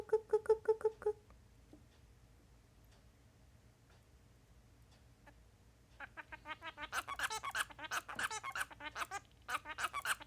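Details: Male Bengalese finch practising its song indoors: a short series of soft, evenly spaced nasal notes, a quiet gap, then a rapid stream of buzzy, scratchy chattering notes repeated in quick bursts; faint room hum.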